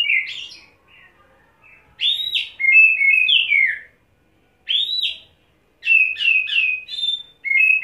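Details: Oriental magpie-robin (kacer) after wet setting, staying on one spot in ngobra display and pouring out isian: varied loud whistles and buzzy slurs, an arched upward whistle, then rapid stuttered chip runs in short bursts.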